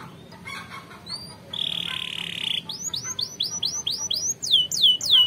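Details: Canary training song for other canaries: soft scattered notes, a buzzy roll, then a building series of about ten falling whistled swoops growing louder.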